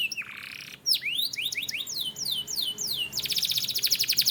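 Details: Canary song for training, opening with a low nasal buzzy tone, then crisp downslurred whistles in quick succession, ending in a fast, bright, rattling trill.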